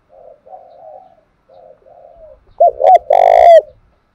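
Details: Spotted dove from Đồng Nai, a lure bird whose cooing is used to provoke wild doves and train decoys: soft low coos at first, then a loud phrase of short clipped notes running into a long rolling coo that falls at the end.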